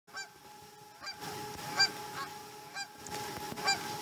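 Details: Osprey at a Chesapeake nest during a morning feeding, recorded 2019-12-12: short harsh, ringing calls repeated at uneven intervals about once a second, over a steady hum and background noise.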